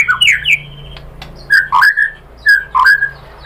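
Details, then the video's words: Lure song of a white-rumped shama for stirring other birds: a few descending whistled slurs, a pause, then scattered clear whistles and dipping notes. "KICAUAN MURAI BATU bikin NYAUT ikut BUNYI jadi GACOR BONGKAR MATERI ISIAN ¦ PANCINGAN MURAI"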